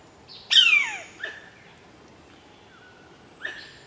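Bar-bellied Pitta giving a loud, slurred whistle that falls sharply in pitch, then a few shorter, softer notes and a faint thin whistle over quiet background hiss.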